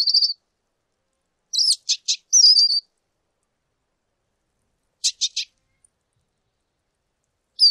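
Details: Lesser goldfinch delivering high thin whistles mixed with clusters of two or three crisp ticking notes, phrases separated by pauses of a few seconds, no other sounds.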